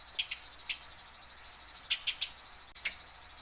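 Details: A tame house sparrow, used to coax captured sparrows into song, utters sparse sharp chirps, two early, then a group of three, over steady faint background hiss.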